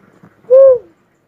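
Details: Single full, low coo of a cuckoo-dove, a smooth swelling note that slides down at the end, with faint low rustling just before it.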